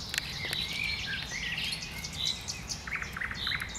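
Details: Common nightingale singing in bushes, with loud whistled notes, chirps and a brief series of short repeated notes near the end against a soft background hiss.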